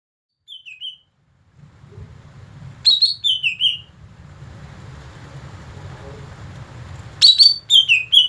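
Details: Greater green leafbird song heard while training a bird to learn new song: bursts of quick descending whistled notes in three groups, separated by pauses filled with low rumbling noise.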